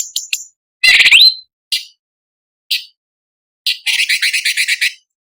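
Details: Orange-bellied leafbird, known locally as cucak cungkok, sung in a harsh, fiery style used as a tutor recording for magpie robins: short sharp chips, a loud buzzy rising phrase, then a rapid run of scratchy repeated notes, separated by silences.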